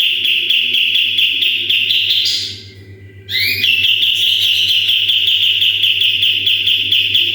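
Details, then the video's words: Sooty-headed bulbul delivering its full 'tembakan' song, used to tutor other birds: a rapid high trill, a short pause, a few ascending whistled notes, then a long continuous buzzy trill to the end. "MASTERAN KAPAS TEMBAK GACOR FULL TEMBAKAN"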